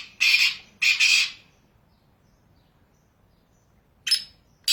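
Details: Black francolin in its natural habitat in Pakistan giving harsh, grating, high-pitched notes: two close rasping bursts, then a pause of nearly three seconds before a third starts.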